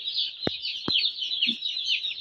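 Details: Young broiler chicks in a winter brooder pour out a loud, unbroken mass of shrill overlapping cheeps. Two short taps can be heard early on.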